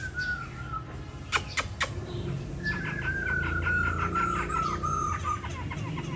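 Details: A captive laughingthrush, filmed at home near Hanoi while moulting its tail feathers, gives a long, steady whistled phrase and then a rapid run of repeated chattering notes, with sharp clicks and a low background hum.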